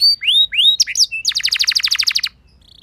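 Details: Canary singing to prompt other canaries into song: two rising whistled slurs, a few sharp chirps, then a fast buzzy trill of repeated notes lasting over a second, ending abruptly.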